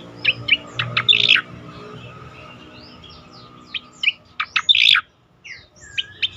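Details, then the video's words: Melodious Striated grassbird song used to stimulate and train other songbirds: clusters of short, sharp chirps and brief trilled phrases in two bursts separated by a quieter pause, with a steady low background hum. "suara merdu cica koreng cocok untuk pancingan dan terapi bunyi untuk burung bahan ombyokan"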